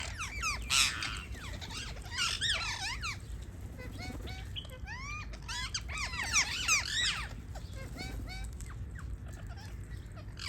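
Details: Parrots chirping in a lively series of curved, squeaky notes that rise and fall, coming in quick irregular bursts with several birds overlapping, over a steady low rumble of background noise.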